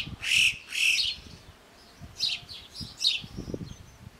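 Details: Yellow-billed chough in the French Alps mountains giving two loud, high shrill whistles, then softer, fainter chirps, with low rumbling background noise underneath.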